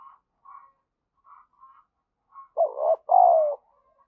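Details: Spotted dove calling as a lure to excite other doves: a few faint short notes, then one loud low two-part coo ending in a long falling note.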